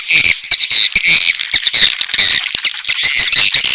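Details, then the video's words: Shrill, buzzy twitters and short whistled notes from edible-nest swiftlets, a mating call blended with chick calls, over a busy stream of quick clicks. "SP.BIRAHI+ANAKAN+RBW 1"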